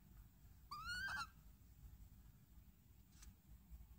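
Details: A rescued female barn owl (Tyto alba), moulting with a stuck feather, gives one short, tonal squeal indoors that rises slightly and then falls away, lasting about half a second, over a quiet room hum.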